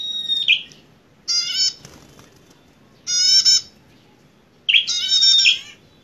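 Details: Bar-winged prinia, an aggressive visiting bird, gives harsh nasal rasping notes roughly every one and a half seconds, each lasting under half a second, with some mixed chatter and steady background noise.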